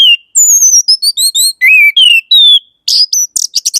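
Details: Orange-headed thrush in rich, varied song: a fast string of high whistled notes, some sliding downward, others rising, ending in scratchy, chattering bursts. Nothing else is heard.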